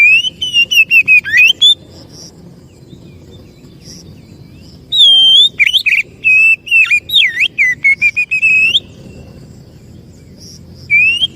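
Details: Oriental magpie-robin (kacer) lure song meant to draw in other birds: rich varied phrases of whistles, slurred notes and rapid chirps in two long bursts separated by a quiet gap, with a low hum beneath.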